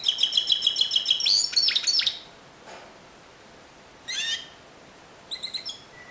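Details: A Timbrado canary sings a discontinuous-style phrase. It opens with a quick, even, clicking metallic trill that breaks off, then comes a pause, one short chirp burst and a brief rapid tail of notes.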